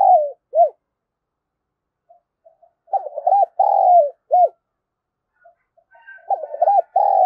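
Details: Spotted dove calling to stir wild doves into answering; soft low coos with hooked notes and a long falling coo, phrases separated by pauses, with faint short coos in the gaps.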